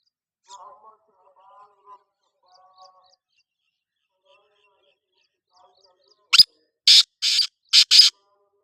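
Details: Black francolin (kala teetar) call: after faint, soft tonal murmurs and near silence, a loud series of five rough, buzzy, grating notes comes near the end, the final pair closely spaced.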